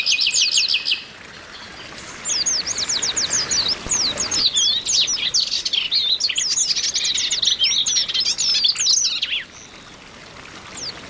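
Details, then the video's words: Flock of Oriental white-eyes used as singing therapy; a brief rattle, then a long busy run of overlapping high, steeply falling chirps that stops abruptly. "TERAPI PLECI OMBYOKAN BIKIN CEPAT GACOR"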